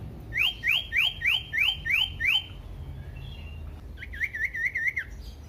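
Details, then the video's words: Common iora song used to provoke other ioras: seven loud, sharply rising whistled notes repeated steadily about three per second, then a pause and a faster, softer warbling trill of linked whistles. "pancingan burung sirtu cipoh AMPUH bikin GACOR dan EMOSI"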